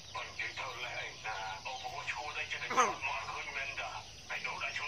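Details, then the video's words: Talking common hill myna imitating human speech: short, voice-like phrases with clear vowels, repeated in bursts about every second, with a slightly harsh, nasal tone. "Talking Mynah bird"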